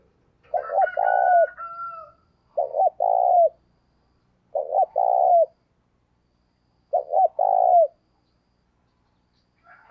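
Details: Spotted dove decoy repeating its coo four times, each a pair of clipped notes and a long tone falling at the end, with a higher drawn whistle from another bird at the start.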